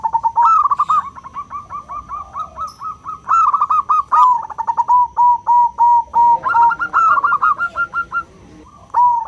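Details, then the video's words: A lure recording of a local zebra dove with a crystal-clear voice, calling to companions so other doves answer. Continuous mid-pitched pulsed cooing with quick rhythmic beats, brief louder accented notes, and the phrases repeated almost without pause. "Perkutut lokal suara kristal, semua perkutut jadi rame dengar suara perkutut ini"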